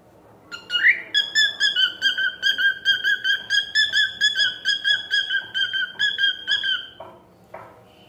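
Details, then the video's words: Cockatiel singing a long run of clear whistled notes, about two to three per second at a steady pitch, with a brief rising whistle at the start and a few softer notes trailing off at the end. "Cute Cockatiel Singing"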